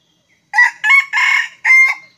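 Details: A wild red junglefowl in Sumatra gives a brief, clipped crow of four harsh, ringing syllables, the last cut off abruptly, over an otherwise quiet background.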